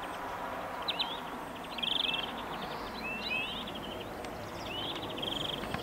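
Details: European greenfinch delivering rattling trills and a rising whistle, including a drawn-out buzzy trill, partly masked by broad background noise.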